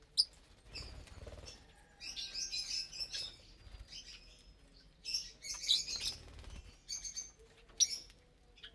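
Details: Pet lovebirds eating vegetables and grains on a Saturday morning; buzzy, grating high chatter in bursts, scattered sharp chirps, with low bumping sounds and a steady faint hum.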